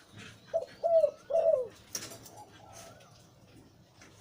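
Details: Breeding male Zebra dove with a deep voice, cooing in three low, rounded notes within about a second, slightly wavering. A soft click follows, then quiet with faint, distant high chirps.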